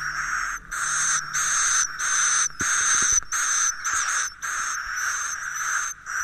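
Swiftlets twitter in rapid, buzzy chirping bursts of about half a second, repeated with brief gaps, topped by a thin high whistle.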